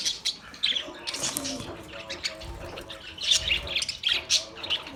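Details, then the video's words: Australian parrot giving scratchy squawks and high chirps, quieter at first, then louder clustered notes near the end, with some low background noise. "Beautiful Australian parrot video Bird Chirping sounds"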